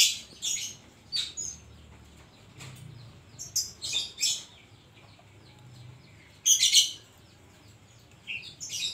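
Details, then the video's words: Oriental magpie-robin singing a song filled with koslet imitations: scattered harsh, high chattering bursts and quick chips, with a stronger rasping phrase near the end, over a low background hum. "burung kacer gacor isian koslet"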